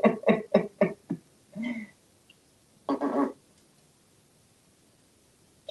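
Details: A talkative male African grey parrot, hatched in 1997 and kept in a Texas home, answers being kissed with a fast run of five rough, speech-like syllables, a drawn-out nasal note and one last burst, in a quiet room.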